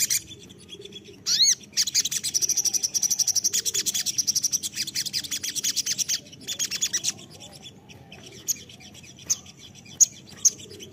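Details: Crested jay lure call: a sharp rising note, then a long dry rattle of rapid clicking pulses in bursts over about five seconds, trailing off into a few scattered sharp chips.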